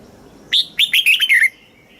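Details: Thai caged red-whiskered bulbul in southern master-style song, played to stimulate caged birds and teach young birds. One loud phrase of about six quick, clear whistled notes is delivered in under a second, the last note slurring downward.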